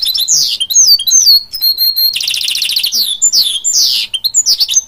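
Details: A goldfinch mule, a goldfinch crossed with a canary, delivers a loud, continuous song of sweeping whistled slurs broken by a fast buzzy trill in the middle.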